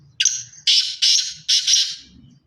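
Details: Black francolin of pure Sindhi stock, Sindhi chirki line, calling loudly: four harsh, rasping, broadband notes, the first drawn out and the rest clipped, in a grating rhythm over about two seconds.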